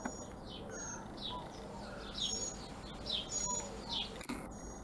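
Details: Young mockingbird fledgling being fed, giving short high chirps in quick bursts with a few longer thin whistled notes, over steady low background hum.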